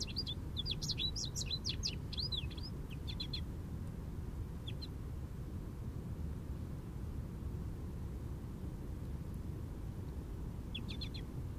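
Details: Jubilant American goldfinch singing in an Eastern Red Cedar: a quick burst of high, varied twittering notes for about three seconds, a few more near four seconds, then a last short phrase near the end, over a steady low background rumble.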